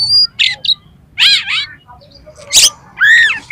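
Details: Oriental magpie-robin song used to trigger a kacer to sing and spread its tail: scattered harsh, buzzy bursts and a rising whistled note, separated by short pauses, with a low hum beneath.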